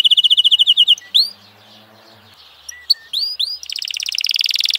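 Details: Domestic F1 canary singing: a fast, even trill of bright repeated notes, then upward-swooping whistled notes separated by a short pause, ending in a dense, buzzy rapid trill. No other clear sounds.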